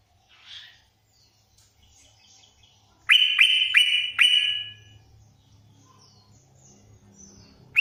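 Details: Sooty-headed bulbul singing a full 'isian' song: a quick burst of four loud, bright, clipped whistled notes, closely spaced, then fading, with soft faint chirps before and a low hum beneath.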